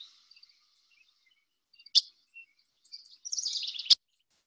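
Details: A singing Dickcissel, a grassland bird in the Chicago area, gives thin, high notes, then a dry buzzy trill near the end, with two sharp clicks cutting through the song.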